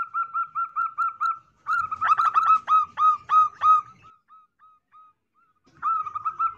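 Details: Female zebra dove calling, used as a lure for males: rapid runs of short clipped coos on one pitch, with a denser burst of overlapping stuttered notes in the middle, a pause, then another quick coo run.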